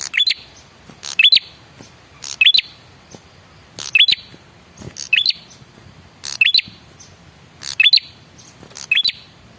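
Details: Lure call of a male red-headed prinia, used to make other birds respond: a run of buzzy, scratchy chirp clusters with squeaky rising whistles, roughly eight phrases in quick succession.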